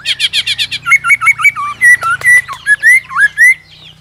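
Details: White-rumped shama provoked by a clicking, tail-flicking female into competitive song; a rapid series of clicks opens, then clear looping whistled notes, with a low hum underneath.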